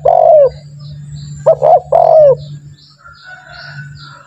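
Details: A spotted dove used to coax other doves into calling finishes one falling coo. After a pause comes a fresh phrase of two short notes and a drawn-out, downward-curving coo, over a constant low electrical hum.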